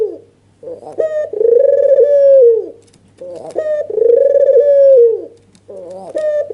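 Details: Excited albino Barbary dove with red eyes, nodding while it coos to provoke silent doves into calling. A short stuttered note opens each phrase, swelling into a long, steady, throbbing coo that slides down; two full phrases plus a third starting.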